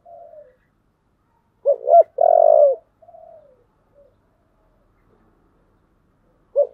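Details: Spotted dove of the 'giọng thổ' voice, roused for fighting, gives one full phrase of short clipped coos running into a drawn-out low coo, framed by faint quieter coos; a new phrase begins at the very end.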